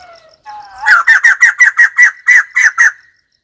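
White-crested laughingthrush: a few soft whistled notes lead into a loud burst of about ten harsh, cackling chuckles over two seconds.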